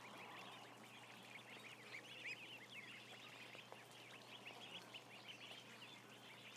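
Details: A continuous high chorus of countless short peeps from about a thousand ducklings held in a barn, dense and steady throughout.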